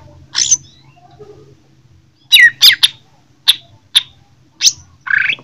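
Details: Jember Greater green leafbird during a fight, delivering scattered sharp chirps and short harsh bursts spaced about half a second apart, with near silence between them and a soft low hum.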